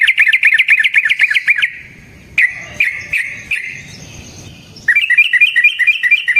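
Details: Yellow-vented bulbul's long rolling song, played as a lure to provoke other bulbuls. A fast, bubbly chatter stops, a few scattered chirps follow amid quiet, and then the rapid chattering starts up again.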